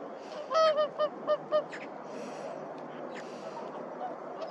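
A whooper swan gives five loud, bugling honks: one longer note, then four quick shorter ones. Faint calls from other swans and a steady rush of background noise follow.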